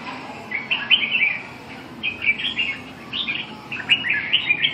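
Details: Red-whiskered bulbul recorded on the afternoon of 7 June 2012, giving soft, rather distant warbled phrases of slurred mid-high notes in short runs, several phrases over about five seconds with quiet background.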